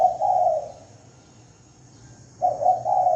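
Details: Spotted dove giving a lure call: a low, hollow three-note coo, a quiet gap of nearly two seconds, then the next coo begins. No other sounds.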